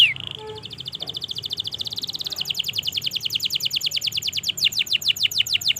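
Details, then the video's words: Canary singing at length, used to stimulate silent canaries: opens with a sliding whistle and brief notes, then a long, very rapid trill of short chirps that later breaks into slower, sharply falling whistles. "Masteran suara Burung Kenari Gacor Panjang Auto Nyaut Kenari Macet dan Paud"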